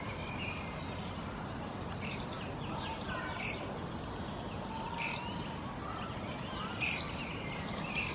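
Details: One of two young Fieldfare fledglings on a lawn in Helsinki, Finland, in June 2024 calls while preening: short, sharp, high squeaky calls at irregular intervals of one to two seconds over a steady background hiss.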